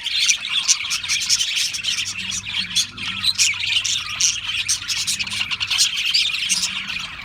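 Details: Flock of Australian parrots keeping up constant high chirping and warbling chatter, rapid overlapping notes, with a faint steady low hum in the background.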